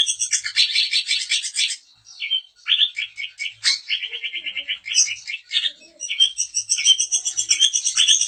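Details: Long-tailed shrike, daput type, song meant to provoke other shrikes: a harsh rasping burst followed by varied chirps, buzzy rattles and a fast series of clicking notes.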